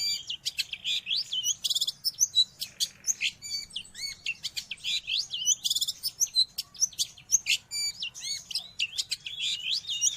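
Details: Long-tailed shrike song offered for training pet birds or luring wild ones: continuous high chattering with looping whistled phrases and quick ticking notes, varied and energetic throughout.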